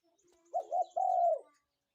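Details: Spotted dove in the morning giving a single clear phrase: two quick soft coos followed by one long, level, mellow coo, in an otherwise quiet setting.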